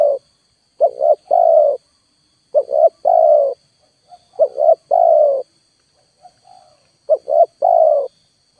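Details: Spotted dove lure call played at full volume while wild birds refuse to come down: two short rising coos and a long, falling, slightly rough coo, four phrases about two seconds apart over a faint steady high hum.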